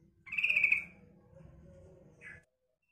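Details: One buzzy, rattling chatter from a female yellow-vented bulbul calling to lure males, followed by a softer short note, over low background hum.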